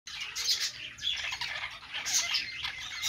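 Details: Pet budgerigars singing on a perch: a dense, continuous chatter of fast squeaky chirps and scratchy warbles, with louder bursts near the start and again after two seconds.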